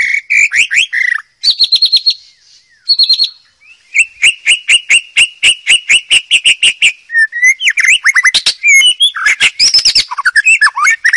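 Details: White-rumped shama singing in the wild, used as tutor song for young birds: varied loud whistled phrases, rapid repeated chips and buzzy trills mixed with rich rising and falling notes, barely a pause.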